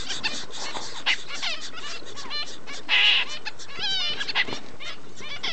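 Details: Double-barred finch parents and chicks during chick-rearing, 4 June 2011, keep up a dense, overlapping chatter of thin, high chirps and short rising and falling notes, with a steady low hum underneath.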